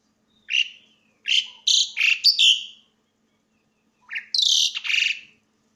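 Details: Loud song of an Asian pied starling: two bursts of varied notes, a rapid run of harsh, buzzy and whistled phrases followed after a pause by a shorter, high, grating phrase.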